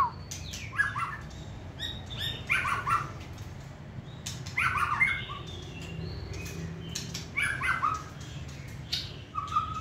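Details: Hand-held caged white-rumped shama, described as competition-standard for singing and shown flipping and turning: short bursts of chattering, whistled mid-to-high notes, about half a second each, repeating every couple of seconds over a low steady background hum.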